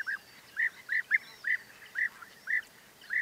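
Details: A European bee-eater repeats a clear, rolling, slightly burry note about twice a second in a fairly steady rhythm. Fainter calls come from other birds in the background.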